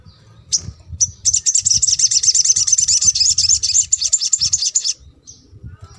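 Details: Crimson sunbird (sogon) song played as therapy to stir rarely singing birds: a few sharp high chirps, then a fast, buzzy, high-pitched trill of rapid notes lasting about four seconds, with a faint low hum beneath.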